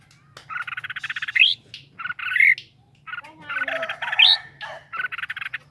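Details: Caged red-whiskered bulbul: bursts of rapid, buzzy pulsed notes, each phrase ending in a sharp rising upslur, with short pauses between phrases; faint low hum underneath.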